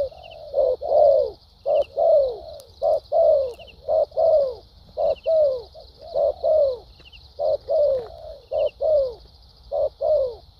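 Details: Vietnamese spotted dove, a wild-caught caller praised for its fighting spirit, delivering a long series of rounded coos about every half second. Many notes end in a falling glide, with a steady high-pitched hum and occasional tiny chirps behind.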